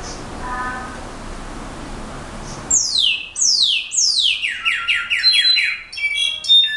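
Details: After a quiet, hissy start, a brown-backed solitaire gives three long sweeping downward whistles followed by a fast run of about seven repeated bell-like notes and some high twittering.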